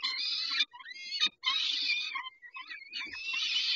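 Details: Peregrine falcons feeding at 11:48 on 19 May 2021 give loud, buzzy, harmonic screeches in half-second to one-second bursts, with a thin whistled note between bouts and light rustle underneath.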